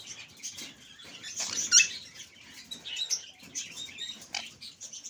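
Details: Alexandrine parakeet, a talking parrot kept as a pet and speaking Urdu and English, murmurs soft, hissy syllables over light background noise, rising to one brief harsh squawk before continuing in quieter chatter.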